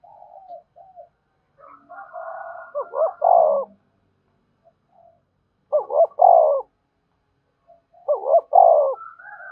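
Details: Spotted dove calling to provoke wild doves into cooing and approaching: three loud, low, throaty coo phrases about three seconds apart, with softer, higher coo notes overlapping between them.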